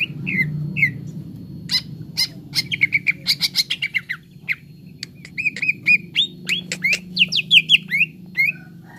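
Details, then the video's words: Grey-throated leafbird, cucak ijo, training song to get birds singing: varied slurred whistles and rapid runs of sharp chips and clicks, mimic-like phrases repeated, with a low droning hum behind. "TERAPI CUCAK IJO BAHAN CEPAT GACOR"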